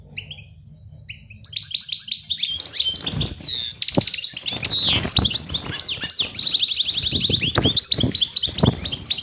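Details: Goldfinch singing a long, fast, liquid twittering phrase of high trills, buzzy notes and chirps that runs almost without a break after a few opening calls.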